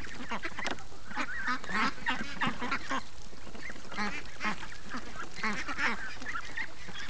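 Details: Free-range domestic ducks calling during a morning outing on a farm, a flock giving overlapping nasal honking quacks in a steady busy chorus with no pauses.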